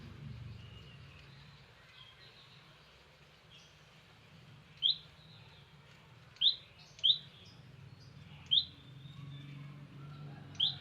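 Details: A wild olive-backed tailorbird visiting gives sharp, high, clipped chirps. Five notes come at uneven intervals after a quiet start, with faint softer bird notes and low background hum.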